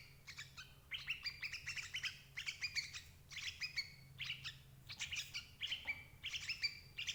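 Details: Lure calls of the sooty-headed bulbul for catching parent birds: lively runs of short chirps and slurred whistles in close groups, about ten bursts in seven seconds, some with a falling note, over faint background hum.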